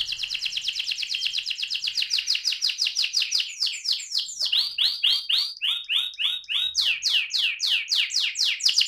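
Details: AF canary rolling its song (ngerol): a quick, even trill of high repeated notes gives way to slower looping, swooping whistles, then sharp rapid down-slurs at the close.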